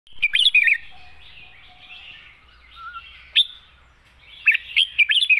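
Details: Red-whiskered bulbul singing in the wild-song style with long phrases: short bursts of bubbly, rapidly warbled notes at the start, middle and end, with a quieter bird twittering in between.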